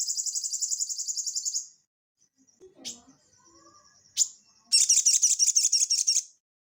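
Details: Crested jay (sogon) singing energetically, used as training audio for cage birds: a fast rattling trill of high notes, scattered chirps, then another rapid burst of repeated buzzy high notes.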